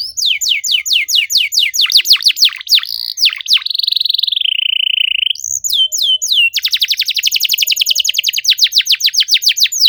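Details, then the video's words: Canary singing densely to trigger silent birds: rapid downward-sweeping chirps, a long wavering trill sliding lower in pitch, then a fast, tightly packed run of sharp repeated notes. "PANCINGAN KENARI MACET GACOR NEMBAK RAPAT CUIT CUIT DIJAMIN AUTO BUNYI KALO DENGER KENARI INI!"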